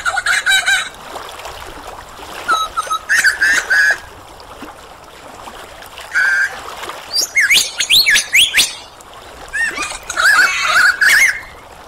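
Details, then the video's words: Superb lyrebird singing in varied mimicked phrases: buzzy bursts, a short steady whistle, then swooping high whistled slurs and chattering clusters separated by pauses. "Lyrebird Song"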